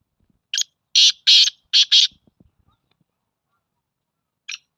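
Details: Black francolin phrase of harsh, scratchy notes, one short note then four longer grating bursts, followed by a faint lone note; soft low rustles in between.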